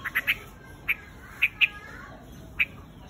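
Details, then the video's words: Flock-gathering call of the white-headed quạch mốc: three quick chirps open the clip, followed by scattered single sharp notes at uneven intervals. "Tiếng chim quạch Mốc"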